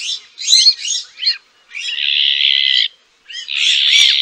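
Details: Azure-winged magpie (Cyanopica cyanus) calling: a quick cluster of sharp, chirping notes, then two long, harsh, buzzy rasps separated by a short pause.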